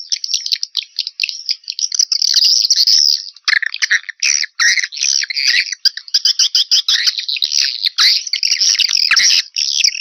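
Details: Calling sound for attracting swiftlets, 2021: continuous high, buzzy twittering with rapid chirps, growing denser and louder after the first few seconds into an almost unbroken chatter.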